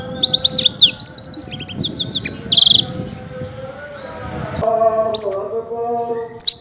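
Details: Champion caged Black-throated canary in Indonesia singing rapidly and vigorously: fast high chirps, trills and down-slurred whistles in quick bursts, with a short pause midway, over steady low background music.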